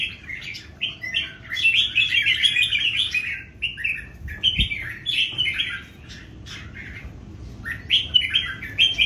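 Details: Three wild-caught adult red-whiskered bulbuls in a singing duel: bright, warbling whistled phrases in short bursts, overlapping and alternating, with a brief knock partway through.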